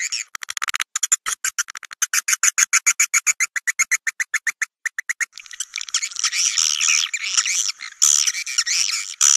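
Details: Swiftlets calling, used to draw them into swiftlet houses to roost. A rapid series of clipped, buzzy clicks comes first, then shifts into a continuous, warbling high twitter.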